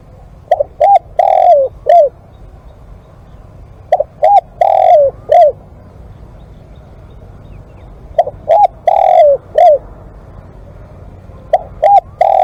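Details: Live-decoy spotted dove repeating its four-note cooing phrase about every four seconds, four times in all, the last one cut short, over a steady low background rumble.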